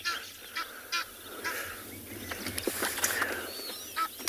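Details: Egyptian goose flying overhead during a morning safari in South Africa in early September gives harsh, broken honks, a burst every half second or so, growing loudest mid-clip as it passes; hippos are nearby.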